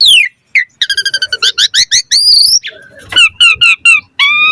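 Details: Asian pied starling in varied song to make other starlings sing along: a falling whistle, a fast series of evenly repeated rising chirps, buzzy notes, then a few clear descending whistles and a long rising tone.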